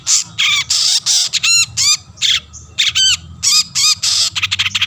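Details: Long-tailed shrike (cendet) calling to provoke rival shrikes, harsh grating squawks alternating with nasal, stacked chattering notes repeated irregularly.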